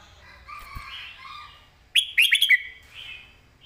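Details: Red-whiskered bulbul master song in southern style for training caged birds: soft, wavering warbles lead into a loud burst of quick whistled notes, then a fading whistle, with a faint low knock early on.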